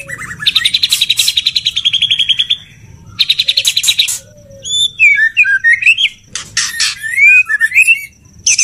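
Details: A male white-rumped shama courting a female gives a long, rapid machine-gun rattle, a shorter second rattle, then a twisting run of sweet, looping whistles mixed with harsh scratchy notes.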